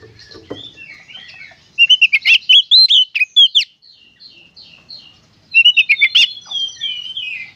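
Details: Oriental magpie-robin in full konslet song: faint chatter, then a loud burst of rapid whistled notes and sharp clicks, a pause with soft murmuring notes, and a second bright burst of whistles.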